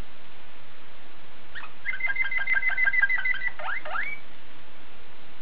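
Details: Waterslager canary from Belgium delivering a rapid pulsed trill with a steady whistled line running through it, closing with quick upward-sweeping notes.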